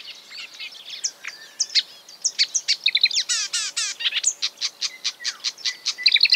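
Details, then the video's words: Marsh warbler singing while imitating other birds: a fast, varied stream of high chirps, buzzy notes and rapid trill-like runs of repeated clicks, with quick changes between borrowed phrases. "A marsh warbler (Acrocephalus palustris) imitating other birds"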